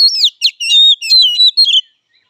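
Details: Oriental magpie-robin fighting song: a brief, fast run of bright whistled and slurred notes with sharp chips, ending abruptly.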